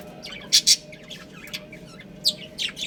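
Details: Pet budgerigars in a home colony give short, harsh squawky chirps in quick bursts, two loud twin notes near the start and scattered softer chirps after, over a steady low hum.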